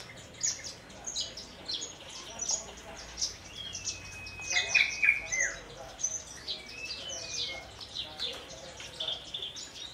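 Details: Captive Horsfield's bush lark native to Kulon Progo, Indonesia, hovering then landing on a perch stone to sing 'Jambul' style: varied chirps, sharp high notes and a few drawn-out whistles, with quiet human speech.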